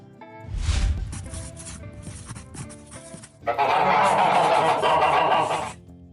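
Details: Goose honking over background music: a dense, harsh, continuous run of nasal honks lasting about two seconds, following a music passage.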